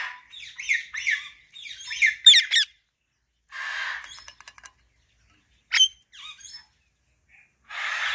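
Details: Female Alexandrine parakeet chattering in its natural voice: quick scratchy chirps and squeaky notes in a busy stream, a hoarse drawn-out squawk, rapid clicking ticks, one sharp shriek and a final raspy call.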